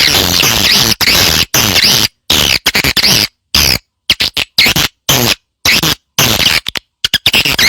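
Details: Swiftlet lure recording meant to attract swiftlets to nest in a prepared site: dense, harsh, high twittering bursts, chopped by abrupt silences about once a second, like an edited loop.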